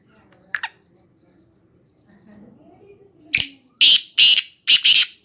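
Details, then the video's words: Black francolin calling near Khushab: after a quiet stretch with faint low murmurs, a short harsh opening note is followed by grating, rasping notes in a rapid burst, about five harsh syllables in under two seconds. "kala teeter ki awaz"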